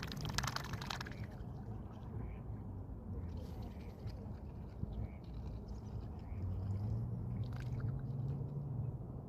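A swan makes wet, crunchy smacking sounds with its bill, irregular and quick, over a steady low rumble of wind or water.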